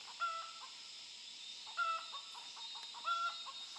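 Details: Wild chickens from a flock met near a forest work site, chicks caught and brought home to be tamed; three loud, clear two-tone calls, each a bright whistled note with a lower note below, spaced about a second and a half apart, over steady insect hum.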